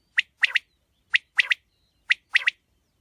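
A quail gives a sharp three-note phrase, one note then a quick liquid pair, repeated about once a second, with nothing else heard.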